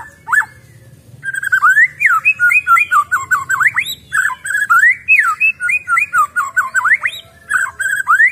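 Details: White-rumped shama, a freshly caught wild bird, delivering a fast, continuous stream of clear whistled notes that sweep up and down in short repeated figures, with a faint low background rumble.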